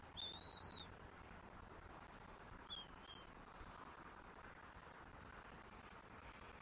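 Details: Eaglet of bald eagles on a Southwest Florida nest, 5 February 2024, while fed fish: a high whistled call, then a shorter pair of thin whistles a couple of seconds later, followed by quiet background rumble.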